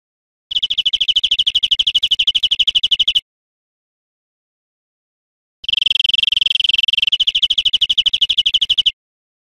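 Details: Greenfinch teaching recording for cage birds: two long passages of a rapid, buzzy, rattling trill with a long silence between them.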